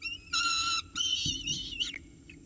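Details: Peregrine falcon chicks in a nest box at Orange on the morning of 29 October 2018, as an adult drops off prey and the chicks fight over it before being fed: loud, harmonic wailing whistles in two drawn-out bursts, then a short squeal.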